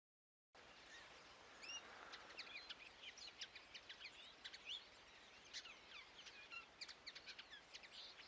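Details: Common linnet singing: a lively, continuous twittering of quick high chirps, short rising and falling whistles and dry trills, several notes overlapping, above a soft hiss of background noise.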